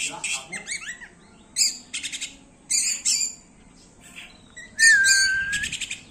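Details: Oriental magpie-robin singing in the frantic 'konslet' style: bursts of harsh, buzzy, stacked chattering notes with quick rising chirps, then a long sliding whistle near the end, separated by short pauses.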